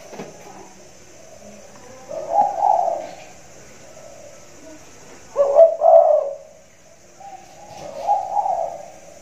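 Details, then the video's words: Spotted dove cooing loudly in a hanging cage during the rainy season: three separate low, hollow coo phrases spaced roughly three seconds apart, the middle one sharpest, over quiet background hiss. "tekukur suara besar, lagi manggung di sangkar layang"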